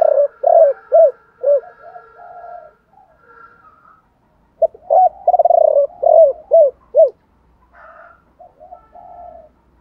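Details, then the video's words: Spotted dove song used to stimulate other doves to sing, including male and female birds: low hooting coos with a rolling, tremulous note followed by short downslurred coos, in two bouts with faint softer calls between. "tiếng chim cu gáy chiêu ba hậu, cu gáy"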